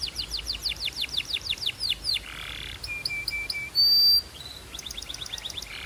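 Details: Belgian canary singing: a run of rapid descending whistled notes, then a short buzzy trill, a few steady whistled tones and a bright sustained note, ending in quick repeated chips.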